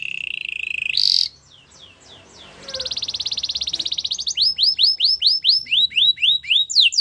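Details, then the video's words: Belgian canary singing: a low buzzy trill and a brief loud burst, a short quiet gap, then a long even rattling roll and a run of repeated falling whistled sweeps. "Belgian canary singing"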